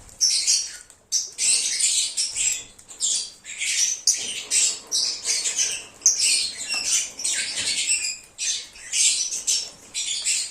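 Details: A group of lovebirds singing and cheeping, used as a recall lure for an escaped bird; sustained chatter of shrill, scratchy high chirps in irregular bursts throughout.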